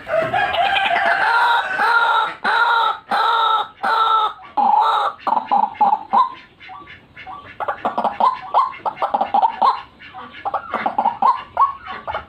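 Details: White-breasted waterhen lure call, used for trapping birds: loud, rich, harmonic-laden notes in strong bursts at the start, giving way to quicker, choppy repeated phrases that bend upward.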